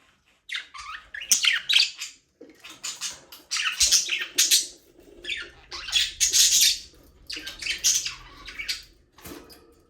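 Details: Several budgerigars enjoying a small aviary keep up continuous scratchy warbling and chirping, loud phrases rising and falling every second or so with dense overlapping chatter.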